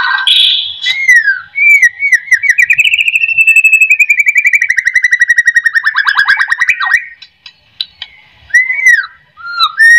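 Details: White-rumped shama song meant to stir other shamas into singing: a long rapid trill of pulsed whistled notes, arching and falling, followed by short clear whistles.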